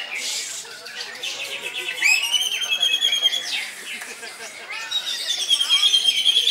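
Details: Greater green leafbird in koncer-style nonstop song, sung loudly: after a brief murmur of human voices, bright rising whistles and fast chattering phrases flow without a break.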